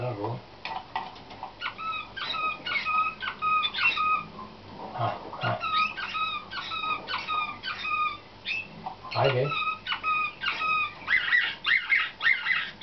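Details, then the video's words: Canaries trained for competition in the slavujar nightingale-like style, 2013: long series of rapid clipped chirps repeated steadily, broken by a few low thumps, ending in sharper whistled notes. "CANAR SLAVUJAR"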